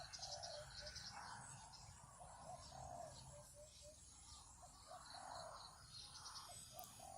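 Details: Captive spotted dove on its first training day, calling from a neem tree in the morning while a territorial wild male nearby chases off a young wild bird, gives soft, low, hollow coos in short repeated phrases; thin chirps of small birds and outdoor hiss beneath.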